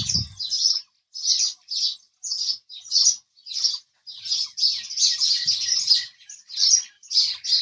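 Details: House sparrow chirping: a steady series of short, bright chirps about every half second, growing denser toward the end, with a brief low thump at the start.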